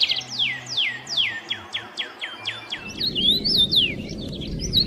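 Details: Birds chirping in the morning, a series of steep descending whistled notes about three a second, followed by twisting higher warbles over a low background rumble.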